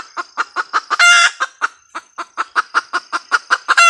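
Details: A red junglefowl hen gives a steady run of short, clipped clucks, roughly five per second, with a loud raspy squawk near the start and another at the close. No other sounds intrude.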